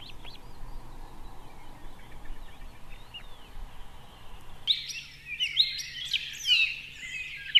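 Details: Osprey at a nest in Võrumaa, South Estonia, in 2021, near a river, a fish farm and a military base. A low rumble comes first, then a burst of shrill, whistled chirps repeated rapidly in excited runs.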